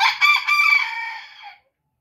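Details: Crowing booted bantam rooster, heard close and clear: a loud harmonic crow with quick stuttered opening notes and a long, slowly fading final syllable, ending in silence.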